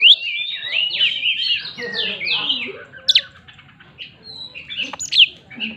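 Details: Oriental magpie-robin singing a 'tembakan' shooting song meant to provoke rivals into answering: a loud, fast run of varied whistled slurs and rising sweeps, broken by sharp clicks and a few piercing high notes, clean background.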